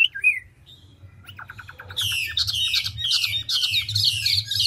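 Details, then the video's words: Mature, large forest-caught Chinese hwamei, ngũ trường style, fast voice-switching: a few whistles and a soft rattling series, then loud harsh buzzy notes repeated about twice per second over a low hum. "Họa mi ngũ trường đảo giọng tốc độ"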